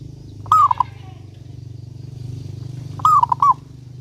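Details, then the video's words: Lure song of a local zebra dove in full voice: two brief phrases of a long opening coo and clipped trailing notes, roughly two and a half seconds apart, with a constant low machine-like drone. "Perkutut Lokal Gacor Suara Paling Ampuh Untuk Pancingan Burung Perkutut Agar Bunyi gacor dor"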